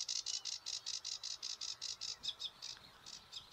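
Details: A noisy sedge warbler in reeds at St Fittick's Community Park, Torry, gives harsh, scratchy notes repeated fast, about five a second, then a few squeakier, whistled notes.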